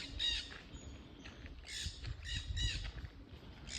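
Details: Noisy parrots on a trail outdoors, giving harsh, raspy squawks in scattered bursts over steady low background rumble.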